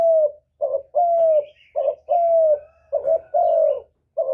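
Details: Spotted dove lure cooing meant to set other doves calling: rapid low two-note coos, a short burst then a long smooth tone, with faint high chirping from other birds and a soft low hum beneath.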